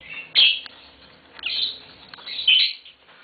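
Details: Green Fischer's lovebird pair giving three bursts of shrill, high chirping chatter about a second apart, each a quick harsh twitter with short gaps of quiet between.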